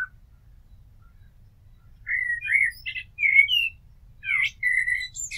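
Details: After a quiet start, a common blackbird delivers a sequence of melodious whistled notes, wavering and slurred, interspersed with high sharp twitters.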